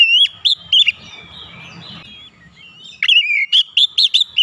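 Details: White-rumped shama song played to make other birds sing: a few loud whistled notes, a pause with low murmur, then a rapid string of about six bright rising whistles.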